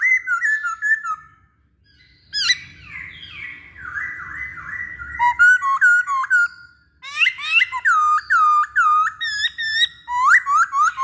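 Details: Masked laughingthrush song used as a lure to get other birds to sing: loud, varied whistled phrases, some slurred and falling, with short rising notes repeated in quick succession. A brief pause comes after the opening phrase.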